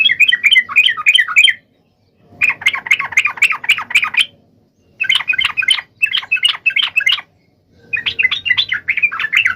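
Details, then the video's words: Sooty-headed bulbul in sustained vigorous song aimed at a rival, four long bursts of fast, chattering, bubbly notes, each about one to two seconds, separated by short silent gaps. "SUARA trucukan gacor MEMANGGIL LAWAN"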